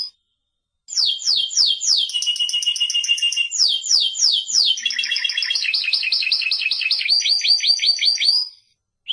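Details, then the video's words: Timbrado canary (Serinus canaria) song: after a moment of silence, a long unbroken sequence of trills, from repeated downward sweeps to fast even rolls and choppy pulsed phrases, about three notes a second. "Canto Canario Timbrado"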